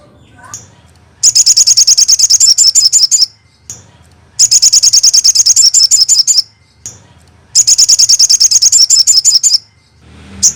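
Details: Crested jay, a training recording for drawing responses from other crested jays: three long, loud rattles of quick high clicking notes, each about two seconds, repeated roughly every three seconds.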